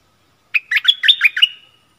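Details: Stripe-throated bulbul in a cage singing to attract wild birds, which came but did not land, probably having chicks in the nest, 1 April 2021; one brisk bubbling phrase of quick slurred notes.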